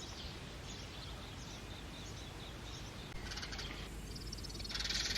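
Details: Two house sparrow chicks being fed by parents in a man-made clay pot nest; harsh, noisy bursts of begging calls break out after a stretch of quiet, then a second louder burst, over low background hum.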